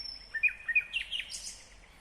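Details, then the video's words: Brief fragment of a nightingale singing in Kyrgyzstan, 2020: two or three bright whistled notes followed by a hissing, buzzy flourish. "Незабываемое Пение соловья / Chill out Nightingale Singing / Булбул уну / Булбул овози"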